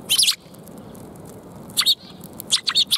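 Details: Sparrows at a Tenmangu shrine on 2 March 2021 give bursts of sharp, high chirps, a quick cluster at the start and more twitters near the end, with quiet rustling between.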